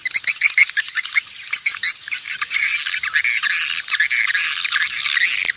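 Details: Natural swiftlet calls used to attract swiftlets: a busy chorus of overlapping buzzy chirps and upward-sweeping twitters, fairly even in loudness throughout.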